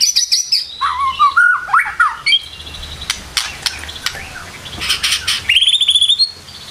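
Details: White-rumped shama singing in the morning: loud looping whistles and slurred notes, then scattered sharp clicks and a final climbing series of buzzy high notes.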